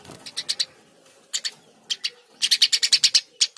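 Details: Eurasian tree sparrow, Passer montanus, singing busily; short groups of two or three high chirps, then a fast run of about ten sharp chirps at the end.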